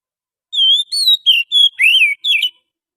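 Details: Lure song of a wild forest Oriental magpie-robin: six whistled notes, steady high tones then a buzzy wavering note and a drawn-out slurred whistle, background silent.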